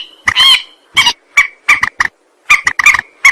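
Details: Rail call used as a lure for bird trapping: harsh, nasal notes rich in overtones, opening with one drawn-out cry, then irregular clipped bursts separated by short silences.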